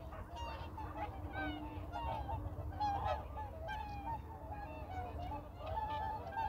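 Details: A whooper swan family at Baedalji reservoir gives loud, bugling honks, several birds overlapping in a steady chorus of trumpet-like calls over a low background rumble.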